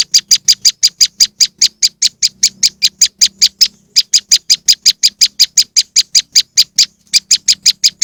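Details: Moss wren lure recording: a rapid run of scratchy high notes, several per second, with one short pause midway and a faint low hum beneath.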